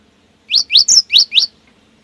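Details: Five quick rising whistled notes from a cinereous tit, gelatik batu, sung to draw other birds into singing; one note slurs higher than the rest.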